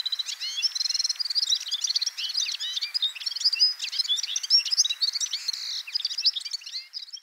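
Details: Red-fronted serin, a small finch of high-mountain areas, delivering a rapid, unbroken warble of high twittering notes, tinkling trills and short rising chirps.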